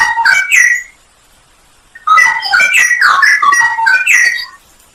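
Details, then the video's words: Masteran of a straw-headed bulbul in full isian nembak style: a brief phrase of fluty whistles, a one-second silence, then a long, loud, liquid warble of slurred whistled notes. "masteran cucak rowo full isian nembak"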